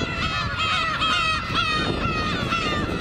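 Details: Black-tailed gulls in large numbers on Kabushima island, New Year's Day 2015 in winter; dense overlapping mewing, drawn-out calls with wind noise in the low range.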